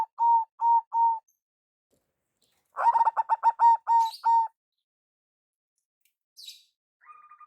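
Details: Zebra dove of local stock uses its big-voiced lure call, starting with three evenly spaced drawn coos, then a rapid stuttering series easing into longer notes, with a brief high chirp and faint tones afterward.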